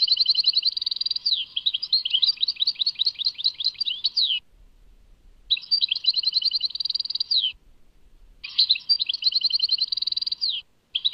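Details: Chardonneret, the European goldfinch, singing as heard at Tadmait, Algeria: three bursts of quick, sweeping tinkling notes, some falling slurs, separated by short silent gaps of about a second.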